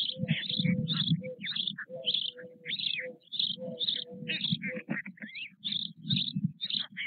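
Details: Four nearly equal-sized white stork chicks in their nest with their father at Nové Mlýny, Czech Republic, 8 May 2024: continuous low, rough buzzing bursts, with many short high chirps and squeaks layered throughout.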